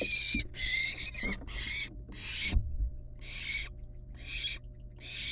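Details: Wild barn owl nestlings at their nest, playing with a still-living rat before killing and eating it. Harsh, breathy hisses come in quick bursts of uneven length, with dull thumps and scuffling from movement in the nest between them.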